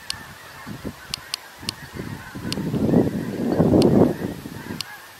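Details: Snow geese in an enormous flock on November 17: a dense wall of overlapping nasal honks that swells to a roaring peak around the middle, with sharp clicking sounds scattered throughout.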